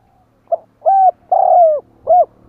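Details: Spotted dove calling to lure wild doves: a short soft lead note, a firm coo, a long drawn, slowly falling coo and a crisp final coo, deep and resonant over a faint steady hum.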